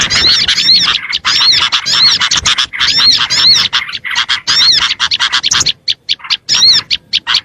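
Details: Lure song of Oriental white-eyes meant to attract small birds: busy, high-pitched warbling chatter for the first five seconds, thinning into separate short chirps toward the end.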